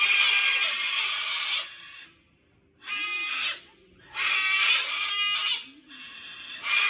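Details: A cockatoo caught on a balcony's wire fence, struggling to get free, cries for help with four loud, harsh, raspy screeches of one to two seconds each, separated by short silent gaps.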